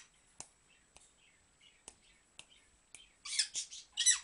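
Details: A pet dusky-headed conure, dancing, makes five soft, sharp kissy smacks about half a second apart, then three loud, harsh squawks; a faint steady high whine runs underneath.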